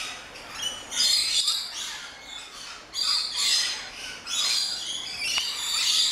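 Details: Rainbow lorikeets, a noisy flock of small parrots in an aviary lorikeet garden at an orchid farm in Luttelgeest, Netherlands, giving shrill overlapping screeches and chatter in bursts roughly every second or two.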